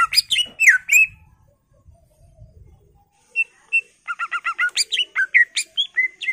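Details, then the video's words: Energetic greater green leafbird song meant to spur other birds into singing, rich in varied fill phrases: slurred whistles, a quiet pause with faint low rumbling, then rapid repeated chips building into loud falling whistled notes. "PANCINGAN CUCAK IJO Macet Bunyi / Masteran Cucak Ijo full isian"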